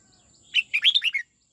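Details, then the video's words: Song-training red-whiskered bulbul giving a single '89 twisting' phrase: an opening clear note, then a fast tumbling series of five rising and falling whistled notes, crisp in a quiet setting. "Luyện chào mào hót giọng 89 xoắn tít"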